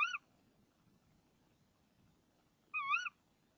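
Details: Female tawny owl in a nest box, 05:28 on 26 March 2014, calling before the male brings her a frog, which she later carries outside. A call ends at the start, then another rasping, wavering call follows after a pause.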